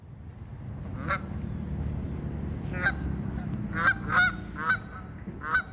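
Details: Geese at a park giving loud, nasal honks, single and in quick pairs, about six over several seconds, over a low rumbling background.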